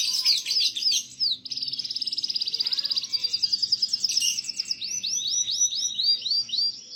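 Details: Canary song used as tutor material for young canaries: loud rapid rattling trills and sustained buzzy rolls, shifting pitch between phrases, then a run of repeated swooping whistled notes, about two per second; faint low background hum.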